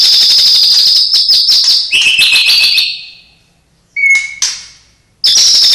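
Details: A white-rumped shama, or murai batu, sings with mimicked cililin, sparrow, lovebird and canary phrases: sustained high rattling trill dropping to a lower buzzy trill, silence, a clear pure whistle and sharp note, then another high trill.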